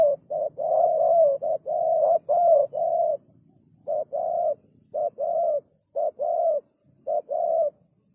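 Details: Spotted dove lure call: rhythmic runs of mellow coos, a short note leading into a longer one, first closely packed and then in separated pairs, over faint low background noise.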